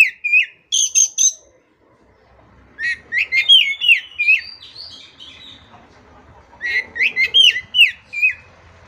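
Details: Singing Oriental magpie-robin (kacer), a training recording for birds that have stopped singing: bursts of bright high chips, then fast series of clear whistled notes slurring downward, repeated in several separate phrases.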